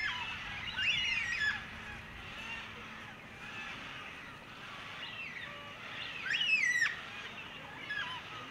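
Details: Carnaby's Black-Cockatoo, a female, preening her companion's head; loud grating calls with bent, wavering harmonics, two strong outbursts several seconds apart plus fainter scratchy notes between and a short call at the end.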